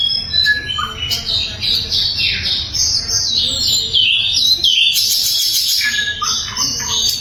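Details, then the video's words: Loud, clear sikatan londo flycatcher song used to train songbirds such as the magpie robin. It is a busy run of high, sweeping whistles and twittering phrases that rise and fall quickly, with chirpy bursts near the end. "SIKATAN LONDO GACOR - SUARA LANTANG & SUPER JERNIH"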